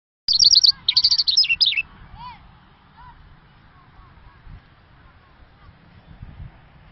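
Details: An Irani Mashadi lark gives a quick burst of high, tumbling twittered notes lasting under two seconds, then falls quiet against faint background hum.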